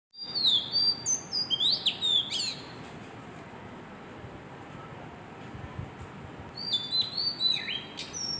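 An Oriental magpie-robin sings two bursts of varied, sweet high whistles with rising and falling slurs, separated by a few seconds of quiet background hiss.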